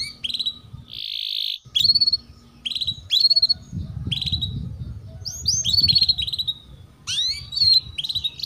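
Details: Canary sounds from ngeriwik-style tutoring for young canaries: separate sharp upslurred chirps and a short buzzy burst, spaced by pauses, over a steady low rumble.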